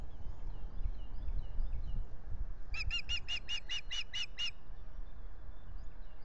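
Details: Osprey pair at their nest at dawn on 9 April 2021, mating, caught by a nest camera at Salt Point beside a lake: a run of eight sharp, ringing chirps in quick even succession midway, over steady low rumbling wind noise.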